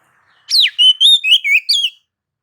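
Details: Shama song meant to draw other white-rumped shamas into song: an opening downward-sweeping whistle, then a string of five pure, slightly rising and falling whistles, quick and bright.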